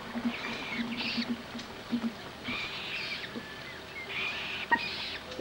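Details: Common moorhen at a wetland in central France on 27 April 2012, during mating, with young of the first brood present: harsh, broad grating bursts repeated about once a second, over a steady low hum.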